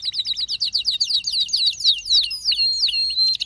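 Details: Canary singing energetically: rapid series of high descending whistled notes repeated several times a second, then longer sweeping whistles and a sustained high tone near the end.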